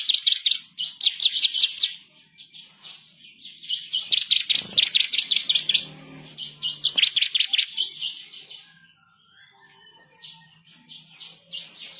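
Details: Ciblek kristal, or bar-winged prinia, in fierce, persistent master song with rolling trills and sharp shots. Rapid high chirps run in three long bursts, followed by a quieter stretch with a faint low hum.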